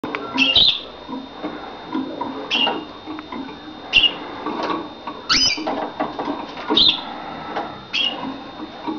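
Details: European goldfinch singing: scattered short twittering chirps and rising tweets, bright and high, coming in bursts every second or two over a constant background hum and rustling noise.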